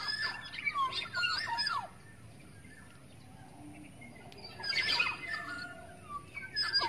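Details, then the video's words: Black-naped oriole, wild forest bird, lure call: a cluster of fluty, descending whistles mixed with harsh chatter in the first two seconds, a quiet gap, then another burst of whistles and rasping notes near five seconds. "SUARA PIKAT KEPODANG EMAS ASLI HUTAN"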